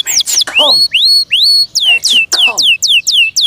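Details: A cared-for domestic canary sings with loud, slurred whistles. Sharp downward sweeps alternate with upward-curving notes, spaced roughly every third of a second, plus a few lower harsh rasping accents.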